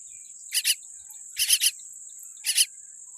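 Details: Baby common myna with a weak beak calls three times. The grating, broadband double and triple rasps come roughly a second apart against a constant shrill background tone.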